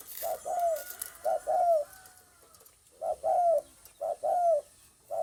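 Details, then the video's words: A spotted dove, recorded on 9 May 2020, repeats soft, low coo phrases: a clipped note, then a drawn-out, downward-sliding coo. Four phrases come roughly every second and a half against faint hiss. "tiếng chim cu gáy cực hay"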